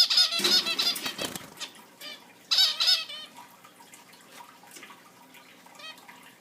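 Zebra finches give busy, nasal chirps and squeaky notes in quick bursts, with fainter calls between.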